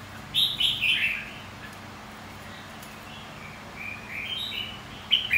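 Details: Red-whiskered bulbul singing contest song, played to provoke and train white-cheeked birds for competitive singing: bright warbled phrases with quick up-and-down slurs open the recording, then softer fragments follow after a quiet gap.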